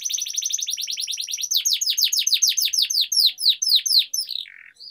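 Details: Canary in full rolling song, meant to coax other canaries into singing. A very fast high trill slows into a series of clear sweeping down-slurred notes about eight per second, ending with a brief buzzy note.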